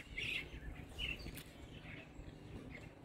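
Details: A young Jacobin cuckoo at Lower Sabie camp gives faint, thin, high begging chirps, about four short notes spaced irregularly, over a steady low rumble, while its dark-capped bulbul foster parents are away fetching food.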